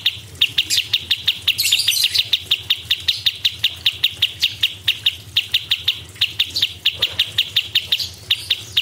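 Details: Lively cucak cungkok song: a steady stream of sharp, high, clipped notes repeated several times a second. A fainter scratchy burst joins near the start, with brief hesitations toward the end.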